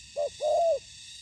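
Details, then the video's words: Spotted dove in ground trapping with a decoy bird meeting wild fighting doves; a single phrase of a short coo followed by a longer, smooth, slightly falling coo, over steady high background hiss. "Bẫy cu gáy mồi đất"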